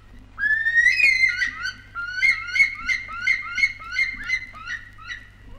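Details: Bush stone-curlew (Burhinus grallarius), recorded in Australia for a 1968 wildlife record, gives a long rising, wailing whistle, then a quick run of about a dozen shorter whistled notes, over a faint low hum.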